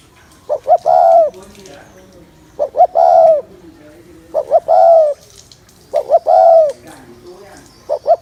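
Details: Repeated cooing of a spotted dove meant to stir up males, five phrases roughly every 1.7 seconds, each a quick double note then a drawn-out mellow coo that dips at the end.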